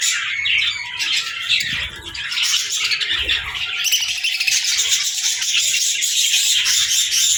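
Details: Young budgerigars chirping and chattering while playing, a dense, unbroken mix of high scratchy warbles and squeaky notes from several birds at once.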